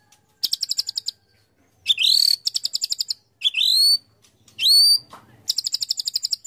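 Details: White-rumped shama competition song mixing rapid trilled rattles of high notes with loud upward-sweeping whistles, in an alternating pattern with short pauses.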